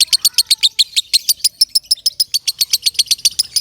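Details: Loud lovebird song for training other birds: a fast, steady run of sharp high chirps, about six per second, each bright and clipped, with a faint lower whistle early on.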